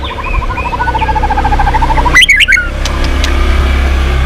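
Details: White-rumped shama, a formerly quiet bird that has resumed singing, gives a long fast series of identical low piping notes for two seconds. A sudden loud burst of harsh, high notes follows over a steady background hum.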